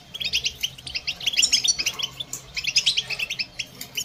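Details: Goldfinch chirps and song used for training birds: quick runs of short, high tinkling notes in clustered bursts, fairly steady throughout, low background hum faintly audible.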